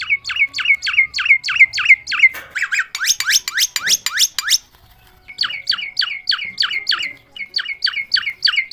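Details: Myna described as talking repeats sharp, harmonic chirps in quick rhythmic runs, breaks into a rasping clicking burst, pauses briefly, then resumes the chirp series.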